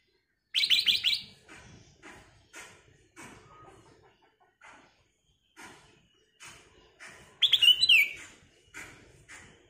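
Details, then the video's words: Black-crested bulbul, a lively singer with a crystal-clear voice, giving full song: a rapid run of whistled notes, then scattered softer chirps, and a loud, sweeping, slurred whistled phrase near the end. "KICAU BURUNG KUTILANG EMAS GACOR suara Kristal"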